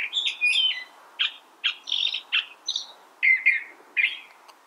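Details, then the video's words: California thrasher song of varied, harsh syllables delivered in quick irregular phrases, each note different, some buzzy and some clear, with brief pauses between bursts. "California Thrasher Bird Sound"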